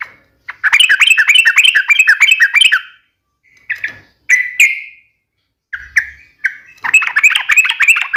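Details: Yellow-vented bulbul sharp fighting song, rapid-fire in style, meant to get other bulbuls singing back. A fast rippling run of chirps lasts over two seconds, then come a few separate whistled slurs with gaps, then another quick bubbly run.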